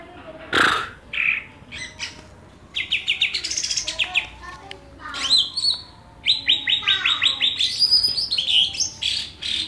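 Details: Greater green leafbird song content compared between a Banyuwangi bird and a Kalimantan bird: bursts of rapid, chattering high trills and sharp chirps, with short pauses between varied phrases.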